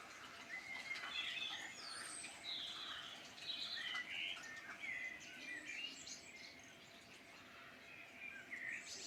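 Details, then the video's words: Rich chorus of songbirds in rural Ireland's Midlands, with tumbling warbled phrases, high chips and short whistles overlapping from several birds, over a quiet steady background. "Beautiful birdsong in Ireland Midland"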